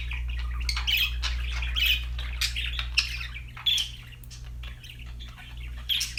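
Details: Pet budgerigars chirping and singing: a busy, continuous chatter of short squawky notes and warbles, with steady low hum underneath.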